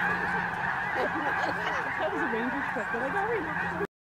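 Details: Snow geese taking off at Bosque del Apache: a dense flock chorus of overlapping nasal honks and wavering yelps, continuous for about four seconds over a steady roar of wings and a low constant hum.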